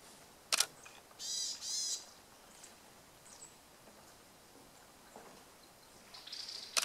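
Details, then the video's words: Varied tit calling in Tokyo, Japan, on 6 January, around bathing and preening: a few short nasal high buzzy call bursts near the start and again at the end, with sharp clicks and quiet gaps between. "ヤマガラ "Parus varius" の鳴き声。（地鳴き）"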